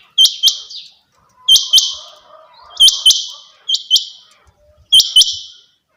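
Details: Female quail (madi batair) calling, paired sharp high chirps with a bright hooked start, each pair followed by a short buzzy tail, repeated about every 1.2 seconds, five pairs in total; a faint low murmur runs underneath.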